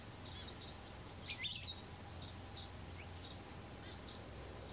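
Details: A female palila preening on Hawai'i's Big Island at 7:34 am on 20 July 2015 gives scattered, faint high chirps, one brighter, sharper note midway, over a steady low rumble of wind or distant noise.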